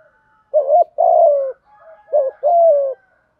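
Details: Lure coo of a spotted dove in 'thúc gù' style, meant to excite other doves: two low phrases, each a quick wavering note then a sustained, gently descending coo, separated by a soft brief murmur.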